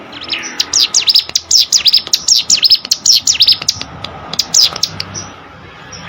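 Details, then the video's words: Training recording of a hill prinia (cigun) for competition songbirds: a steady series of shrill, rapid V-shaped chirps for about four seconds, then a few scattered notes and faint high pips over a soft background hiss. "CIGUN ATAU PRENJAK GUNUNG!!! MASTERAN UNTUK BURUNG LOMBA"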